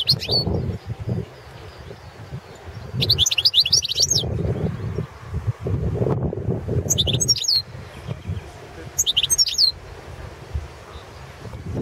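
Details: Balkan goldfinch, Carduelis carduelis balcanica, in a competition recording for the 2017 World Championship in Goldfinch Song. Four separate bursts of bright, fast twittering phrases rise above a steady low rumble and thumping background noise.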